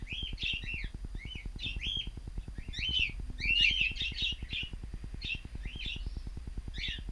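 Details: Chirping in a home aviary where cockatiels are kept. Quick scratchy chirps come almost continuously, a few of them drawn into brief rising whistles, over a constant rapid low ticking hum.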